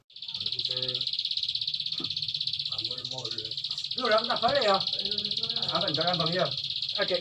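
Bar-winged prinia in a long, unbroken high buzzy trill of rapid pulses. Voices talk over it throughout.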